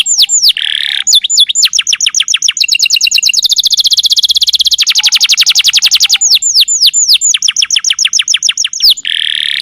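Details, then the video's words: Canary master song for training canaries to sing quickly: bright high slurred whistles and chips, then a long, very fast rolling trill of dense repeated notes, returning to quick downslurred whistles and buzzy phrases. "masteran burung kenari"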